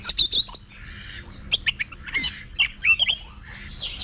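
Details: Oriental magpie-robin practising competition song: quick high whistled notes and harsh squawky phrases interspersed with sharp clicks, ending in a drawn-out thin whistle, low hum underneath.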